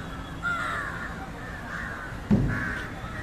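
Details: Indian jungle crow feeding on fish, giving harsh, drawn-out caws, one early and a longer one later, with a sharp knock between them against a low rumbling background.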